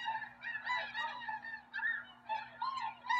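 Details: Tundra swans near Drumheller, Alberta, at Rosedale and Munson, calling continuously with overlapping high, nasal honks, some notes slurred upward, and barely a pause between them.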